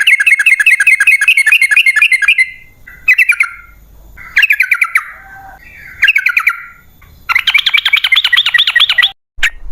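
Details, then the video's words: Sooty-headed bulbul song used as a lure to draw wild birds into answering. It comes in bursts of rapid, chattering notes in fast runs, with short gaps and sliding, bubbly phrases between them. It ends with a denser, buzzy stretch. "Pancingan Trucukan PALING AMPUH ! Burung Langsung Ngalas | & Nyaut Gacor"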